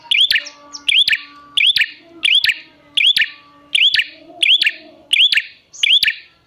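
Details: Lure recording of a prinia for attracting wild birds: evenly repeated sharp notes, each a snapping click with an upturned whistle, steady and persistent, with soft tones in the background.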